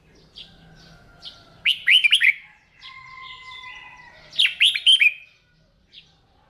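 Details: Red-whiskered bulbul kept for morning song training: two loud bursts of rapid, bubbly whistled notes about three seconds apart, between them quieter chirps and steady thin tones.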